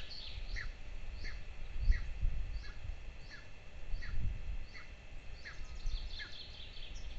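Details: Golden eagle nest in Lahemaa, Estonia, 22 June 2024: two chicks being fed at breakfast give a steady run of short, high, downslurred whistles about twice a second over soft thumps and rustles.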